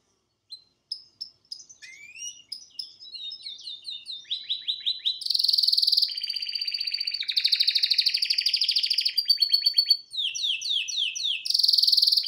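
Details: Singing male canary at home: the song opens with sparse, thin whistled notes, then builds into loud, rapid buzzing rolls and repeated swooping trills, ending on a strong high roll.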